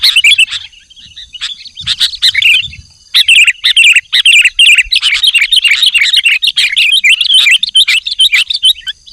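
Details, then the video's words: Lively sooty-headed bulbul song used to lure wild bulbuls: dense, fast chattering phrases of bubbly chirps that run almost without a break after a short pause, over a faint steady high tone. "Suara Burung Kutilang Gacor Memanggil Kutilang Liar"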